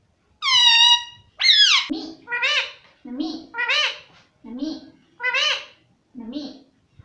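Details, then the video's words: Talking parrot repeating "mummy" over and over, about once a second: two loud high nasal opening calls, then a string of paired speech-like syllables, each low then higher. "मम्मी मम्मी मम्मी बोलता तोता"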